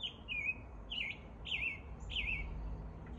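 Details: American robin (Turdus migratorius) singing its morning song in spring: short, slurred whistled phrases that dip downward, about one every half second, over a low background rumble.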